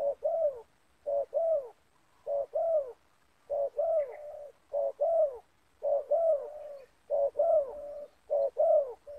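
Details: In a yard, a captive decoy spotted dove and a wild one, both loud 'banggo' voice types, face off. Steady series of low, hollow, downward-curving coos, paired notes repeated roughly every second.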